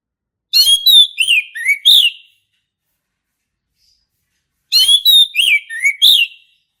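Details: Male orange-headed thrush singing: two matching phrases a few seconds apart, each a quick run of varied whistles that step downward in pitch, clean and loud.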